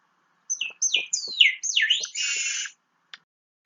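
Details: Long-tailed meadowlark (Leistes loyca, loica) of central Chile gives its trill-like song: a brief run of high, sharp whistled and slurred notes ending in a harsh buzzy rasp, all over in about two seconds.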